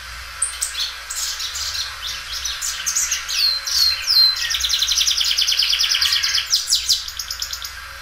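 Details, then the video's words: Belgian canary singing loudly and stretching the song: high whistles and falling slurs, then a long steady trill of quick repeated notes, ending in descending sweeps. "canário belga dobrando o canto."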